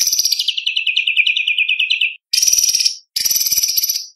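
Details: White-rumped shama contest song for tutoring spotted young birds: a long rapid trill dropping from high to lower pitch, followed by two short bursts of harsh, high, fast chatter.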